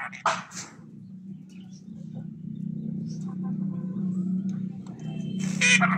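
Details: Red-breasted parakeet in mating season: two loud, harsh, broadband squawks, one near the start and one near the end, separated by quieter scattered chatter over a steady low hum.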